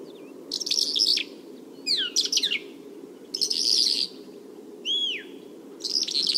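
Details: Bimaculated lark singing in Turkey: separate bursts of dense, buzzy, high chatter alternating with quick sliding whistles and one clear arched whistle, about every second, over a steady low rumble.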